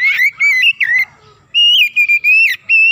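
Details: Kacer, or Oriental magpie-robin, singing gacor as a lure to excite other birds: dense, loud whistled phrases of level and slightly dipping notes, two long runs separated by a half-second gap.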